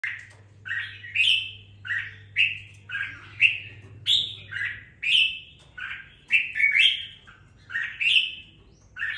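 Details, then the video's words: Caged red-whiskered bulbul, kept two weeks after purchase, singing spiritedly: short warbled, slurred phrases repeated in quick succession, roughly one every second, over a steady low indoor hum. "Đánh liều mua con chào mào chỉ chọn bóng bộ ,sau 2 tuần nuôi dưỡng em nó đã ra giọng có chút lửa"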